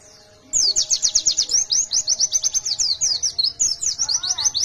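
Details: White-eye (pleci), a fighter bird in full song in the wild ngalas style, used to prompt singing: rapid, high, sharp chirping trills in dense runs of repeated notes, nearly continuous after a short quiet start, over a faint low hum.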